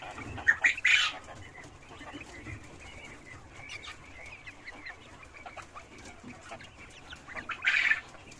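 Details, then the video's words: Cochin chickens and roosters living in farm cages: a burst of loud clucks opens the recording, then quieter scattered clucking and chirps over steady barn hum, with another loud clucking burst near the end. "Chickens and roosters cochinchins on the farm"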